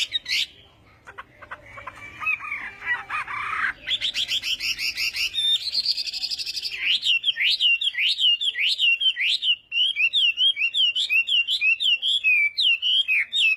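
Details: Chinese hwamei during morning voice-training song: opening with harsh scratchy notes and buzzy rattles, then a long, steady series of sharp whistled up-and-down notes repeated rapidly.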